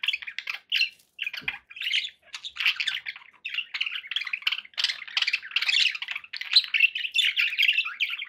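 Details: Near-constant chatter from pet budgerigars: overlapping buzzy warbles, squawks and chirps that swell and fade without a real break, several birds apparently calling together.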